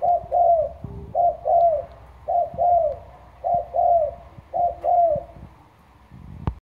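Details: Lure spotted dove from Trà Vinh with a deep, thunder-like loud voice, giving repeated two-part coos, a short note then a longer drawn-out one, about once a second, ending with quieter sounds and a click.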